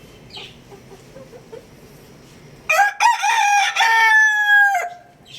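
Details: Domestic rooster gives a loud crow of about two seconds after a quiet stretch of faint background noise: choppy, broken opening notes, then a long, level, strained final note that fades out.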